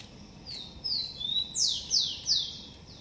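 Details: At its garden nest, a blond-crested woodpecker gives soft high slurred notes, then a run of three strong, clear notes dropping sharply in pitch, evenly spaced under half a second apart.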